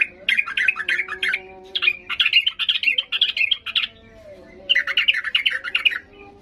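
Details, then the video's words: Sooty-headed bulbul singing with high excitement to coax silent birds into answering; three long bursts of lively, bubbling, squeaky warbles separated by short pauses. "Macam macam Trucukan gacor ngamuk memancing trucuk diam Bisa bisa Nyaut Emosi tinggi"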